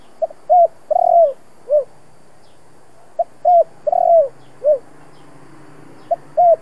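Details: Spotted dove cooing in the 'giọng thổ' style to make decoy doves sing eagerly. Phrases of a soft tick, a short coo, a long rolling coo and a falling last note repeat about every three seconds.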